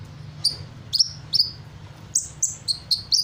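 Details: Hummingbird singing busily, imitating other bird calls: a series of bright, high downslurred whistles, first spaced about half a second apart, then quickening into a closer run of similar notes.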